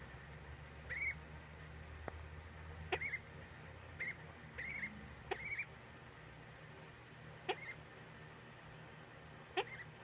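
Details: Ducklings peeping softly, short chirps near the same pitch coming every second or so, interspersed with sharp clicks and a steady low hum in the background.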